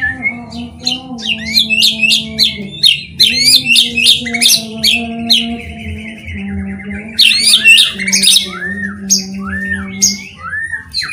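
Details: White-rumped shama singing as a lure to set other shamas singing: high sharp chips and clicking notes in quick sequences, later clear arching whistles, all above a steady low hum.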